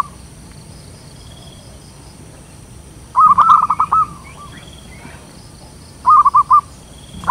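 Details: Zebra dove (local perkutut), strong voice, calling as a lure for wild birds: a burst of quick staccato coos after a quiet spell, then a second briefer burst, with a faint background hum.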